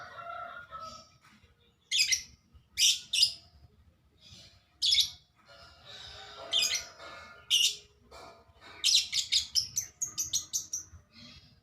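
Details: A woodpecker, described as very vocal and strikingly colourful, gives sharp, high chirping bursts in clusters, followed by a fast run of short repeated notes near the end, over a low background hum.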